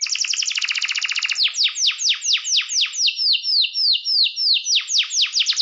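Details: Canary song to rouse rival birds: a very fast high rattle for over a second, then loud downward-sweeping whistled notes repeated roughly every third of a second, briefly steady in pitch midway.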